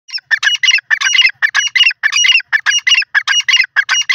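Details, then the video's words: Grey francolin, called desi teetar or grey pheasant, in a loud harsh rhythmic series of squawking notes, repeated rapidly in grouped bursts of two to three syllables, roughly one and a half per second, with no other sounds. "desi teeter boli grey pheasant video teeter shikar voice"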